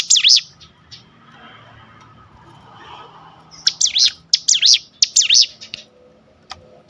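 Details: Sunda bush warbler (ciblek gunung) singing in the full ngebrem style, used as a lure and as tutor song for other birds. Sharp high notes open, then a fast series of piercing zigzag rising-falling notes repeats about six times over a faint murmuring background.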